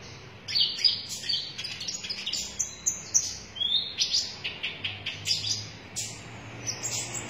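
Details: A sunbird, named as the red-breasted "konin dada merah", sings a fast, very high, thin series of sharp chips and short trills, repeated steadily throughout with no other clear sounds.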